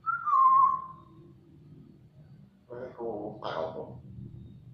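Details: African grey parrot talking: a clear, falling whistle opens, then after a quiet pause comes a brief burst of harmonic, speech-like mumbling over a low background hum.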